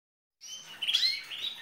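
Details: A female green canary sings like a male, giving a brief, high twittering phrase of bright chirps and short trills that vary quickly in pitch; her song is said to excite the males.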